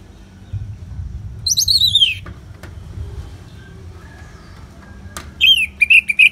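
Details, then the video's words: Anis merah (orange-headed thrush) ngeplong song for bird therapy with natural rain sounds: a slurred, wavering descending whistle, a long quiet stretch with low background noise, then a fresh burst of loud rolling whistles at the end. "Terapi ANIS MERAH Ngeplong dan Suara Hujan ALAMI"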